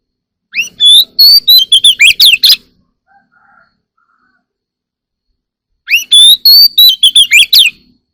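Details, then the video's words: In the morning an Oriental magpie-robin sings two similar loud phrases about five seconds apart, each opening with clear rising whistles and ending in quick scratchy notes, with silence between. "Birds singing in the morning || Chòe than hót múa"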